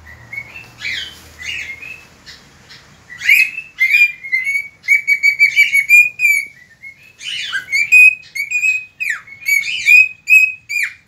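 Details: Cockatiel singing at dawn on 3 September 2019: a run of short whistled notes at a steady pitch, interspersed with buzzy rising and falling chirps, quiet low hum at the start.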